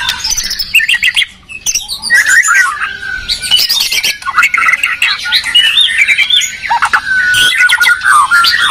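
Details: Medan and Borneo white-rumped shamas dueling in song, territorial birds: dense overlapping trills, chatter and whistled phrases, loud and sustained with a brief dip near the second mark.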